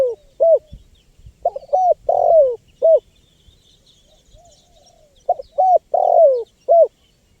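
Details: Spotted dove cooing used to lure wild birds: repeated phrases of short coos, a longer descending coo and a final short coo, spaced about three seconds apart, background quiet.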